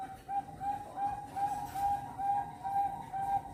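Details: Competition zebra dove of Bangkok type, bred in Cirebon, Indonesia, from a national-champion line, hatched December 2021; a steady run of short, clear coo notes, evenly spaced at about two to three per second, over constant low hiss.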